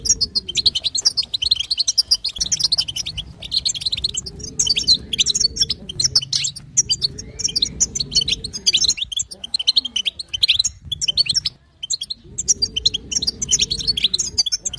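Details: A female European goldfinch chattering in batbata style to encourage a male to sing: sustained high, sparkling chirps and trills in repeated runs, with faint low arching tones underneath at intervals.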